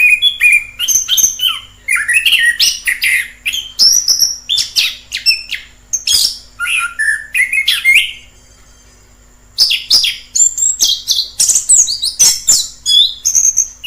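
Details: Free-living orange-headed thrush pouring out a long, rich song of jumbled whistles, chirps and slurred notes, broken by one silent gap of about a second and a half before the varied phrases resume.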